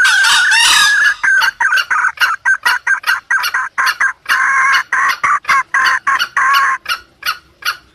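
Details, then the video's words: Junglefowl sound used to lure wild birds: a dense, rapid series of short harsh clucks, about four per second, with a raspier opening burst and brief longer notes. "pikat ayam hutan pake suara ini"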